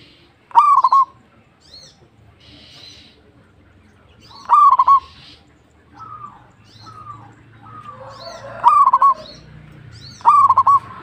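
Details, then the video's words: A singing local perkutut, or zebra dove, gives loud clipped cooing phrases of several fast notes at irregular intervals of about two to four seconds, while fainter dove coos and soft calls fill the gaps. "PERKUTUT LOKAL GACOR"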